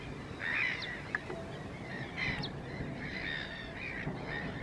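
Chilean flamingos give harsh, nasal, goose-like honks, overlapping and repeated irregularly, over a steady low background rumble.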